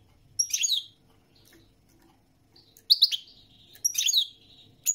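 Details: European goldfinch song in short bursts of sharp, high tinkling chirps and liquid twitters, each phrase under a second long, repeated after pauses of one to two seconds against faint low background hum.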